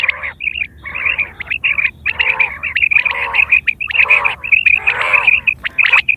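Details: Quail calling in September 2023; a call used for hunting and mating. Repeated bursts of harsh, harmonic chatter capped by clear high pipping notes, clusters nearly every second, loud and close.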